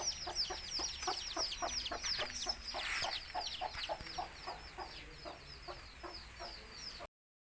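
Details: Mother hen of a native country breed calls her chicks to feed with rapid, regular, short clucks, while the chicks keep up a busy chorus of high, descending cheeps; the sound cuts out briefly at the very end.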